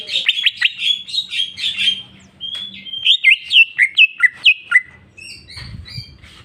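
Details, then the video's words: Greater green leafbird singing its full filler repertoire: rapid high twittering, then a steady string of about ten sharp downslurred notes, and a few clear whistles at the end. "cucak ijo mewah ful jamtrok bongkar isian"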